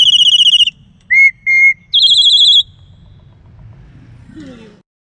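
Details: Black-collared starling in a reserve, prompted to sing, giving loud, clear whistles: a fast warbling trill, two lower pure notes, then another high trill; a faint voice follows at the end.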